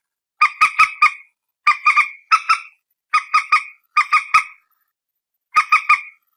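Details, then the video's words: Peruk or mandar batu, the common moorhen, recorded by phone: repeated clusters of three or four sharp, harsh clucks, each cluster lasting under a second, separated by brief pauses. "suara burung PERUK/ MANDAR/ TIUNG"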